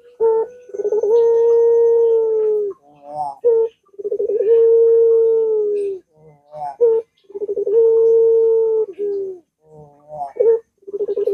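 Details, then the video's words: Lure cooing of a puter dove with the prolonged pelung voice, for getting a quiet bird to sing: three long, even, low coos of about two seconds, each opening with a sharp note and followed by short broken notes. "Puter Macet Puter Malas Bunyi Langsung Ngaut"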